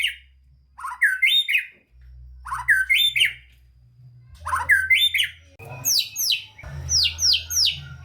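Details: White-rumped shama singing to encourage lazy shamas: rough, squawky slurred phrases of two or three notes repeated about every second and a half, growing busier toward the end.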